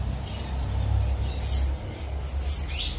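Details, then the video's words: Tanager singing at Pontal Verde: a string of thin, very high squeaky notes and short slurred whistles, some sliding down, one rising sharply at the end, over a steady low rumble of background noise. "Sanhaço canto"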